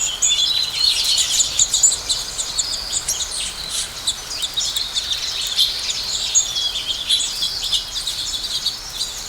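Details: Flock of house sparrows feeding and chirping: a steady, busy chatter of many high, short chirps overlapping, roughly one or more notes every second, over a faint background hiss.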